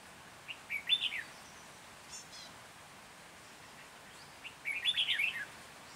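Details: Red-whiskered bulbul decoy in Hòa Bình, Vietnam, singing on 14 January 2021 to draw wild birds into a trap; two cheerful warbled phrases of tumbling whistles, separated by about three seconds of hiss.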